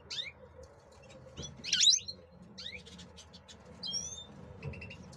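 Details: Captive male European goldfinches being brought into breeding condition before the breeding season, singing bright, twittering phrases of sharp chirps and brief buzzy slurs, with a loud tinkling burst near the middle and a faint low hum behind.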